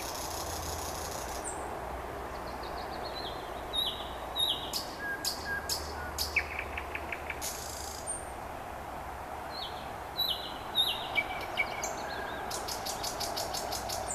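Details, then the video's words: Common nightingale in late-May evening song near Vyazniki: isolated whistles and fast dry rattles, some notes repeated rapidly, with a distant low rumbling hum, possibly a passing train, underneath. "Chill out Nightingale Singing"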